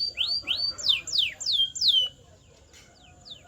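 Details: Canary song played to train canaries to sing: a short series of loud sweeping whistled notes, first rising then steeply falling, repeated about three times a second, followed by quieter faint falling notes.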